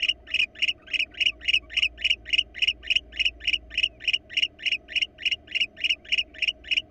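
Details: Barn owl pair, wild, calling at a Florida nest box cam. A regular train of scratchy, buzzy pulses runs throughout at about three and a half per second, with low steady hum behind.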